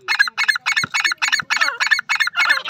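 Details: Partridges fighting: harsh, rasping notes repeated steadily about four times a second, eleven in under three seconds, each with a grating, layered tone.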